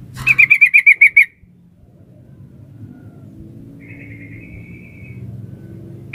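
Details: A female sooty-headed bulbul calls for a male with a fast run of about eight clear, slightly descending piping notes. A fainter trill follows later, over a steady low rumble.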